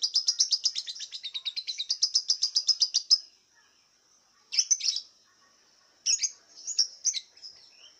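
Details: Lovebird kept in a cage in Singkawang, West Kalimantan, singing in an online contest. It opens with a three-second burst of very rapid, even, chattering notes. After a pause, two bursts of harsh scratchy chirps follow over a thin high tone.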